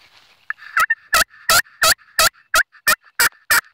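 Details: Loud, rhythmic series of coarse turkey yelps, around ten notes at nearly three per second, each sharply clicked at its onset, with nothing else audible.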